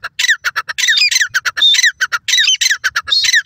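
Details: Grey francolin (teetar) calling fast in green grass in Pakistan: loud, harsh, ringing notes in quick bursts, repeated with short gaps and a few clearer whistled tones.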